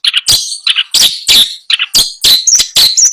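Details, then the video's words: Long-tailed shrike, caged, recorded at a bird seller's place in Bondowoso while a buyer picks a bird: loud harsh rasping bursts alternating with short higher chattering notes, in quick irregular succession. "Suara merdu burung cendet"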